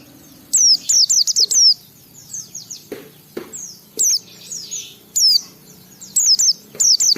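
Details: White-eye song meant to lure other white-eyes into full song: clusters of sharp, high, down-slurred whistles in quick runs, separated by pauses with faint distant chirps.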